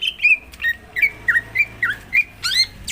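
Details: Greater green leafbird song played as a lure to prompt another leafbird to sing: clear slurred whistles, each sliding down and rising again about three times a second, ending in sharper rising chirps, over a faint low hum.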